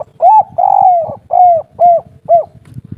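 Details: Spotted dove, local 'kuk 3' derkuku, calling a run of five mellow coos, the second long and drawn out, the rest short and arched, over a soft low rumble.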